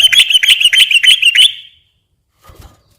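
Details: Sooty-headed bulbul phrase used for luring other bulbuls: a quick string of high whistled notes for about a second and a half, then silence and a faint soft sound.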